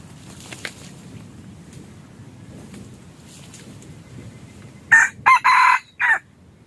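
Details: Red junglefowl crow used as a hunting decoy. After quiet rustling background, a loud crow breaks out near the end in four harsh segments: a short opening note, a clipped second, a long drawn middle and a closing note.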